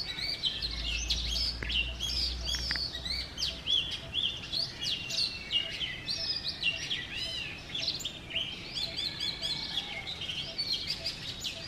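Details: Oriental magpie-robin male in full morning song outside a house in Sialkot, Pakistan, pouring out rich varied whistles, trills and slurred notes without pause, over a low rumble early on.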